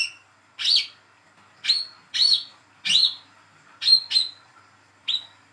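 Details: Young hand-raised olive-backed sunbird giving sharp, high, thin chirps, some doubled, spaced irregularly about once a second over a faint steady hum; used as a lure call to prompt other sunbirds to sing.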